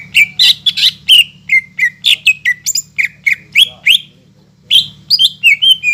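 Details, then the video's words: Greater green leafbird in rapid song, intended to rouse non-singing leafbirds; loud squawky chirps and whistles repeat several times a second, with a brief pause near the end before the chatter resumes over a low hum. "PANCINGAN CUCAK IJO GACOR BUAT CUCAK IJO MACET BUNYI,MALAS BUNYI"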